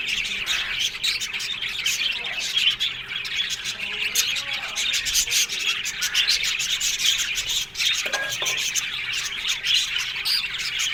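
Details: Many budgerigars in an Australian budgie aviary colony chatter without pause: a rasping, buzzy wall of high chirps and warbles, with a brief louder squawk near the eighth second.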